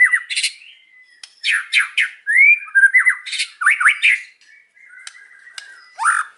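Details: White-rumped shama singing in the afternoon, with harsh squawky bursts, slurred rising whistles and short chattering phrases repeated in clusters.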